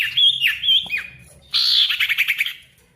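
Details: Ashy tailorbird singing meant as a lure to draw answers from silent birds: wavering whistles with downward hooks, then a harsh buzzy burst breaking into rapid stuttering notes.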